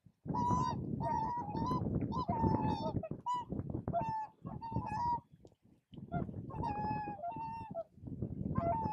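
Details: At Spiggie, Shetland, U.K., in July 2013, whooper swans give a steady stream of resonant, trumpet-like honks, often in quick pairs and triplets, from more than one bird, broken by a brief lull midway, over low background noise.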